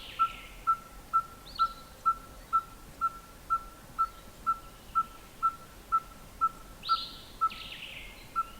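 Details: Red-fronted tinkerbird calling beak-closed, throat swelling with each note: a long, even run of identical hollow, mid-pitched tonk notes roughly twice a second, metallic like a tinker's hammer, with scattered higher chirps from other birds.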